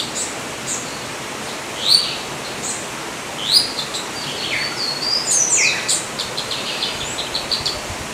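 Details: Yellow-olive flycatcher (Tolmomyias sulphurescens) uttering sharp rising whistled notes at irregular intervals, becoming a busier run of short high notes later on, amid noticeable background noise.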